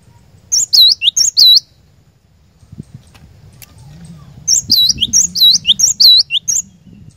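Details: Glatik batu, the cinereous tit, singing a lure phrase for caged birds: a short burst of high looping whistles, a pause with faint low rumbling, then another rapid run of about ten bright repeated notes.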